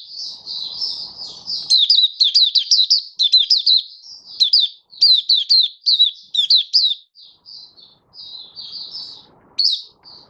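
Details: White-eye (mata puteh) from Malaysia, recorded 27 February 2023: fast, lively high-pitched twitter of about two notes a second, slurred and chirpy, easing into softer drawn-out notes near the end.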